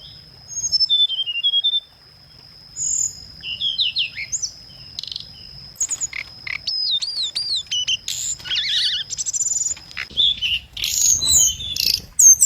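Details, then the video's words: Lure song of the scarlet minivet: high, squeaky slurred notes and quick zigzag whistles come in bursts after a short pause, with a constant thin ringing tone behind them and dense chattering near the end. "Tiếng chim hồng hạnh mồi chuẩn | hồng hạnh hót"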